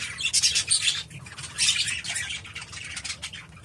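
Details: Elderly budgie, sixteen years old and flightless, giving raspy warbles and short high chirps in irregular bursts that fade toward the end, over a low background hum.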